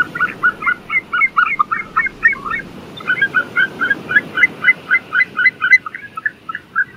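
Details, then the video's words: Yelping series from a white-tailed sea eagle, rapid barking notes in two bursts separated by a short gap, about four per second, over a low hum of background noise. "白尾海鵰(白尾雕)/White-tailed Sea Eagle(White-tailed Eagle)"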